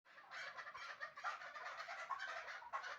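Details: Chukar partridge from Shahritus, a bird kept for hunting, calling in fast chattering bursts of raspy notes that rise and fall in loudness over three seconds, with no other clear sounds.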